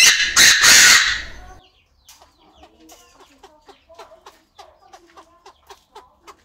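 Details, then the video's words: Chinese francolin kept in an aviary, male crowing with female calling: an intense harsh crowing phrase in the first second and a half, then a series of soft, short peeping notes. "Tiếng Chim Đa Đa Gáy, Đa Đa Mái Tục Trong Aviary Mới Nhất, The sound of the partridge crowing"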